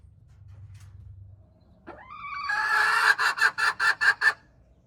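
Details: Domestic hen crowing, recorded January 21, 2025: a rising, strained harmonic note swells into a loud rasping call, then breaks into about six rapid pulsed bursts before stopping, over a low background hum.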